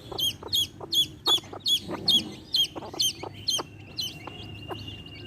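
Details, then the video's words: Baby chicks chirping near a hen: a run of about nine piercing, bent peeps at a steady brisk pace, mixed with soft low clucking pulses, fading into a thin whistle-like tone. "Hen sounds | chicks sounds | relaxation sounds | hen videos | baby chicks chirping sounds"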